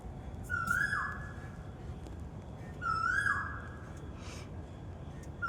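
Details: Asian koel in a park at Janakpur gives loud, clear, rising whistled 'ko-el' notes, one about every two and a half seconds, over a soft low background hum.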